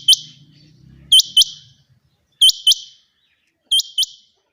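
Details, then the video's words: A female quail calls, sharp, high, clipped notes mostly in pairs about a quarter-second apart, each pair roughly every 1.3 seconds; faint low hum at the start. "Female quail sound | Madi batairy ki awaz | mada batair kirak"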